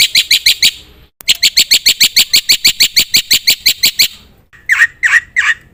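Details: Black-winged myna in energetic full song packed with filler phrases, used to prompt other birds: rapid bright chirps about three per second in runs, a brief gap, then three harsher rising squawky notes.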